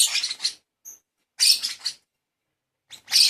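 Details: Baby lovebird under hand-feeding, producing three groups of raspy, buzzy begging calls broken by silences, with a faint high squeak between the first two.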